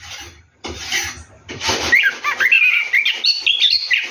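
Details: Orange-headed thrush singing while bathing at night; noisy rustling at first, then a continuous run of varied whistled and warbled notes, rising and falling in quick succession.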